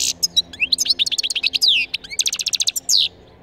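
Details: Wild European goldfinch song, used to lure passing goldfinches down and to teach young birds: a fast, varied twittering of high sweeping notes, trills and buzzy bursts, with a rapid run of clipped notes near the end.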